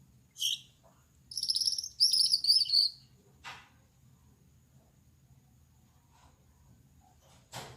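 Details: Singing at night, a male Gouldian finch with yellow back, red head and white breast gives a single scratchy note, then two short bursts of high, buzzy, rattling trill, followed by soft clicks and quiet.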